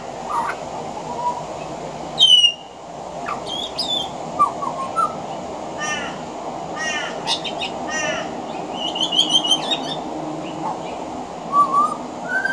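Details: Male pied butcherbird on a veranda delivering song laced with copies of other Australian birds' calls: harsh buzzy rattles, sharp downslurred whistles, short fluty notes and chattering bursts in varied succession, with a constant thin hiss behind.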